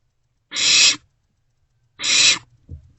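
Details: Barn owlets in a nest box at night, 27 March 2024 around 2 am, sharing a vole and passing it back and forth; two long, harsh, breathy hissing screeches about a second and a half apart, then a soft low shuffle.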